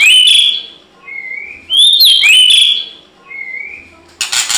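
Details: White-rumped shama singing in a fight: clear slurred whistles with sweeping high notes, softer drawn-out mid-pitched whistles between phrases, and a noisy burst at the end.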